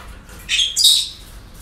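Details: Parrots calling at a breeding centre: two harsh, high squawks in quick succession, the second louder and longer, over a quiet background.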